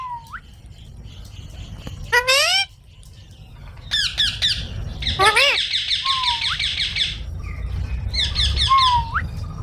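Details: Green parrot giving harsh buzzy squawks and a few thin whistled notes that dip then rise, with longer rasping bursts mid-clip over low background rumble.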